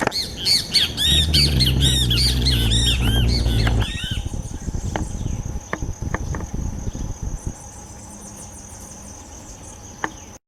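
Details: Red-breasted toucan (Ramphastos dicolorus), live in nature: harsh, arching squawks come rapidly and overlap for about four seconds over a low rumble, then fade to scattered clicks and a steady high insect whine.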